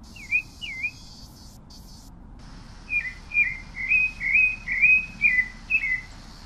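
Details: Pale-breasted thrush delivering two looping whistles, a short pause, then a fast chain of rich, slurred whistled notes, each rising and falling, over a soft background hiss.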